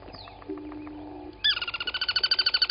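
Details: At a waterhole on Djuma Game Reserve in South Africa's Sabi Sand Wildtuin, morning of 23 August 2020, a crested barbet starts a fast pulsed trill halfway through, after soft distant bird notes and a low steady tone.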